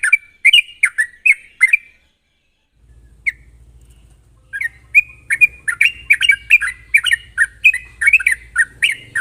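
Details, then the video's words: Trucuk or yellow-vented bulbul in rapid 'ropel' song used to coax other birds into singing: a burst of chirps, a pause, then a long run of quick bright notes over a low steady hum. "pancingan burung trucuk gacor ropel tajam ini ampuh buat memancing trucuk bahan agar cepat bunyi"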